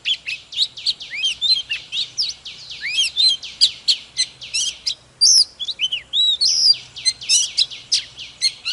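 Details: Fired-up Oriental magpie-robin, an old wild-caught bird, sings and displays in the morning: a dense, continuous stream of high chattering notes with interspersed clear rising and falling whistles.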